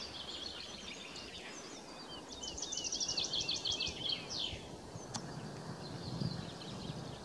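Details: A woodlark at Hagestad, Sweden, on 23 March 2024, song and display, gives a high, liquid trill of quick repeated notes lasting about two seconds over steady wind-like background noise, with faint other birds.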